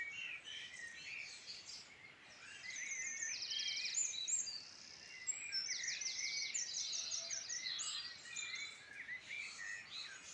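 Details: Irish Midlands dawn-style chorus of birds: rapid dry trilled bursts of repeated notes stand out among warbles and chirps, several singers overlapping with gaps between phrases.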